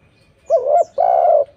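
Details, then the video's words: Low cooing of a spotted dove, played as a lure so other doves will call back: a wavering two-part coo followed by one long, steady, mellow note. "PANCINGAN TEKUKUR gacor suara merdu"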